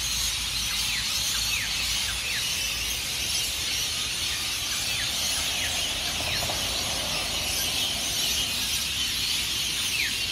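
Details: Hundreds of rainbow lorikeets leave their roosts in tall Norfolk Pines along Burleigh Heads Beach, Gold Coast, Queensland, Australia, before sunrise: a dense, deafening roar of high screeches, with short falling squawks standing out throughout.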